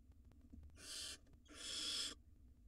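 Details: Wild barn owl nestlings swallowing rodents together in a nest box; two harsh, breathy screeching hisses, the second longer, about half a second apart, over faint background hum.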